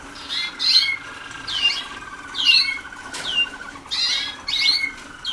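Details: Waterslager canary pupils only days into song schooling, 2010: irregular bursts of sharp, sliding high chirps over a continuous lower rattling trill.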